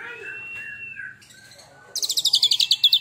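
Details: Oriental magpie-robin that has molted once, in fierce tembakan style: soft low whistled notes at first, then a sudden loud high rattling trill pulsing about six times a second.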